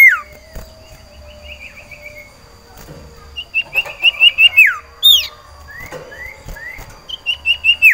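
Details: Caged cipoh sirtu iora, ready to breed and calling to find a mate: a soft trill early, then a loud pulsed whistled trill ending in a downward sweep, a sharp high note, and a few rising whistles before another trill starts.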